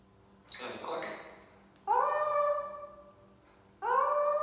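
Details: African grey parrot kept as a pet, mimicking the phrase SubhanAllah: a soft, breathy, voice-like murmur, then two long, loud, nasal tones with rich overtones, each rising at the start and held for about a second and a half.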